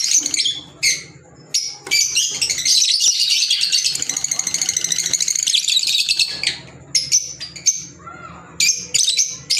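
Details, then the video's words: Kept green Fischer's lovebirds chattering almost continuously, a dense run of shrill, rapid, high-pitched chirps and squeaks, broken by short sharp calls at the start and end. "Fisher Love Birds Sound | African Lovebirds | Green Fisher Love birds Voice"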